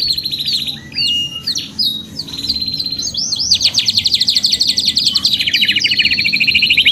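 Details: Singing canary, long continuous song for training other birds: clipped whistled notes and slurs, then a long rapid rattling trill of repeated notes, loud and steady.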